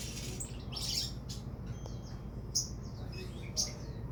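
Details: Sogon bird giving a raspy burst, then faint thin whistles and two loud, sharp high chips about a second apart, over a steady low hum.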